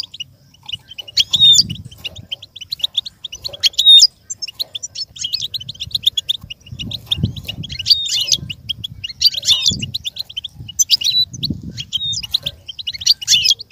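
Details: Goldfinch song played so other goldfinches can learn and imitate it: bursts of rapid, tinkling high twitters and liquid chirps, repeated roughly every one to two seconds, over soft low thumps.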